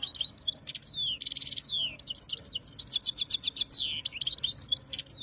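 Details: European goldfinch singing khalwi-style song, recorded in Jijel, Algeria, 2023: a continuous, rapid, liquid twitter mixing sweet whistled slurs, a dense buzzy burst and rattling trills with few pauses.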